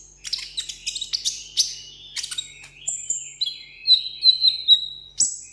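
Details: Sunbird kept caged on a table sings solo for contest: quick scratchy high chatter and clicks, followed by sustained thin whistles and a wavering steady tone with pulsing accents, closing on a sharp high note.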